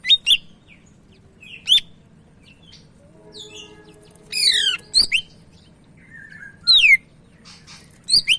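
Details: Medan-type Sumatran leafbird singing busily: varied sharp whistled notes, falling buzzy sweeps and quick chirps scattered across several seconds, with a soft lower hum briefly beneath.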